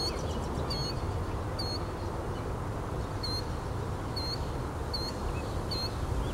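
A Killdeer gives shrill, high, slightly falling 'dee' notes, repeated about once a second, over a steady low rumble of wind or distant traffic.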